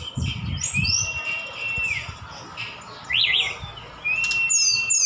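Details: Javan bush lark from Sukabumi with imitated phrases of other birds. Drawn-out level whistles alternate with a quick zigzag trill and high slurred notes, with a few low thuds at the start.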